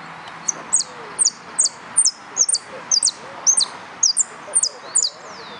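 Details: At the Nuevo Irupe singing contest (22 09 13), a yellow canary gives a steady string of piercing double chirps, each sliding downward, nearly two per second, with soft low background sounds.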